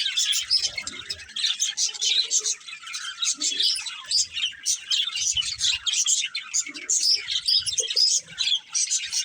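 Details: Steady high-pitched chattering from a breeding pair of budgerigars, with sharp chirps and buzzy trills in short overlapping bursts and slight dips between phrases. Faint low knocks and soft lower murmurs sound now and then beneath.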